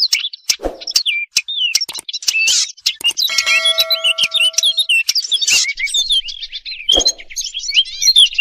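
European robin song: high, thin, tinkling warbled phrases in quick, varied runs. A brief ringing chime-like tone and a few knocks are also heard.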